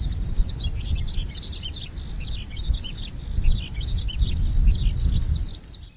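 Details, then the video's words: Eurasian skylark singing enthusiastically at the seaside in July after several days of 30-degree heat: a continuous, rapid, high-pitched twittering warble over low wind-like rumble. "Skylark is singing enthusiastically."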